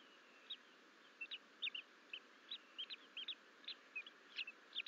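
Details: Bald Eagle eaglets, two nestlings left alone at Fort St Vrain on 14 April 2024: a rapid, irregular string of high sharp chirps, around two or three per second, some doubled, over background hiss.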